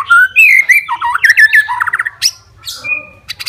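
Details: Murai batu, the white-rumped shama, singing as a fighter to anger rivals; clear looping whistles followed by a quick warbling run, then a sharp note and a thin steady whistle.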